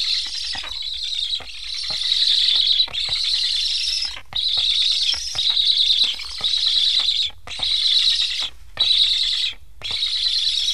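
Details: Hungry black stork chicks in Estonia beg after their parents return without feeding them: steady breathy, wheezing hisses in long pulsing bursts, broken by short pauses, with faint clicks underneath.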